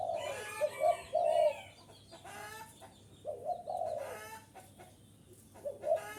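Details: Spotted dove cooing to attract wild birds: a few low, rounded coo phrases spaced by gaps, overlaid by busy clucking and chirping from other birds and short noisy bursts.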